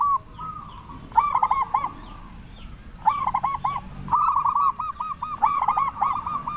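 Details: Local zebra dove with a big voice, used as a lure to make other zebra doves answer; bubbly cooing phrases of rapid arched notes repeat in bursts, with a softer background bird cooing between them.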